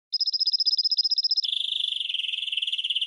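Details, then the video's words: Hybrid of goldfinch and red canary giving tutor song for training birds: a steady high rapid trill of even notes that switches abruptly into a lower, faster buzzy rolling trill sustained to the end. "GOLDFINCH x RED CANARY (Hybrid Bird) The Best Teacher for Training"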